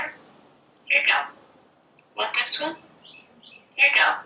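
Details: A parrot indoors on its screened porch talks nonstop while watching wildlife; three raspy word-like bursts arrive roughly every 1.4 seconds, with faint soft chirps between them.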